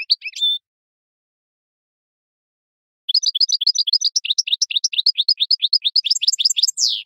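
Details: European goldfinch in the wild, campero song for tutoring captive birds: a brief twittered phrase, a pause of over two seconds, then a fast continuous run of bright rolling notes about three per second ending in a buzzy slur.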